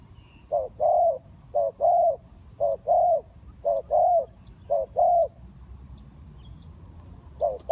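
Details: Decoy spotted dove kept for bird trapping, cooing in two-part phrases, a brief note followed by a drawn-out croo, five pairs in steady rhythm, then a pause before one more note begins.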